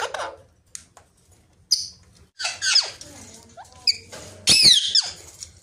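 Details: Rose-ringed parakeet, a pet parrot, talking: scattered squeaky, speech-like syllables and harsh rising-and-falling squawks separated by quiet gaps, ending in a loud burst of chatter.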